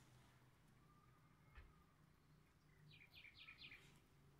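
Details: Common nightingale countersinging with a nearby rival nightingale: after a faint thin steady whistle, a short burst of rapidly repeated sharp, chopped notes near the end, over a constant low hum.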